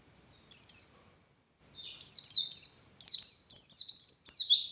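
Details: Singing dakun white-eye in wild ngalas style, recorded for training other white-eyes: a thin high phrase, a short pause, then a fast continuous chain of piercing downward-sliding twitters that grows denser toward the end.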